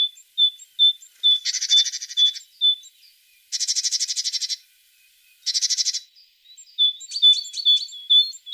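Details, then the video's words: A tit gives repeated thin, pure whistles between three loud, harsh buzzing rattles, then ends with a lively string of high chirped notes. "The sound of a tit singing"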